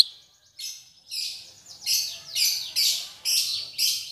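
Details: Relearning its song after moulting, a black-headed bulbul repeats buzzy, high, rasping phrases about every half second.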